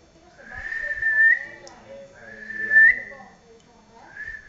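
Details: A cockatiel of uncertain sex, its owner unsure whether male or female, gives clear, drawn-out whistles that slide upward, repeated three times with short pauses.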